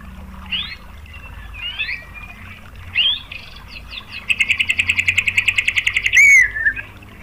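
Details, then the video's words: White-rumped shama lure song to get rival shamas singing: scattered short whistles and slurred notes, then a loud, fast, even rattling trill lasting about two seconds, closing with a sharp upslurred whistle. "BIAR IKUT NEMBAK !!MURAI BATU jadi GACOR BONGKAR MATERI TEMBAKAN ¦ PANCINGAN MURAI ¦ SHAMA BIRD"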